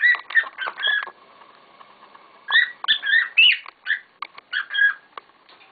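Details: Pet cockatiels calling noisily together: clusters of bright whistled chirps with rising and bending notes, a quieter gap in the middle before another lively burst.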